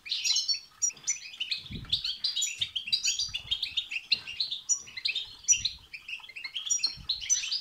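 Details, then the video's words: European goldfinch singing betbeta and setseta phrases used to rouse a goldfinch to sing: a long, lively stream of high, jangling twitters, sharp tinkling notes and brief buzzes, barely pausing, with a few dull low thumps. "بتبتة وستستة تخرج الحسون عن السيطره..... هيجان خرااافي تسببه هذه البتبتة نار على نار سيغرد حسونك"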